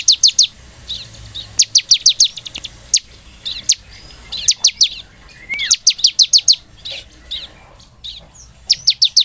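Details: Bar-winged prinia, a song meant to spur a captive bird into singing, in short clusters of high, snappy chips, several notes per burst at irregular spacing, with a faint slurred rising whistle in between.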